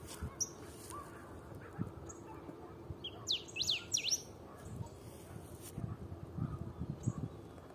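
A brief burst of rich, sweeping whistled notes from a black-backed grosbeak, with a few scattered chirps over low background rumble.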